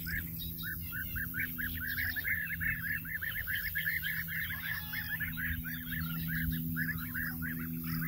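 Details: A flock of European bee-eaters at Izliv Soče nature reserve on 14 June 2024 gives rolling, liquid 'prruip' calls, many overlapping in a steady chatter, over a low rumble of wind or a distant engine.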